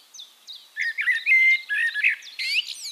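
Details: Eurasian blackbird singing, recorded in Castricum, the Netherlands: soft high twitters lead into loud fluted warbling notes, ending with a squeaky high flourish.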